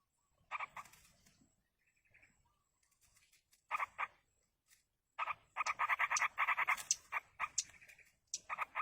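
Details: Yellow-vented bulbul young begging in the wild while a parent feeds them: quiet start with scattered faint notes, then an intense rapid series of rasping pulses after the halfway point.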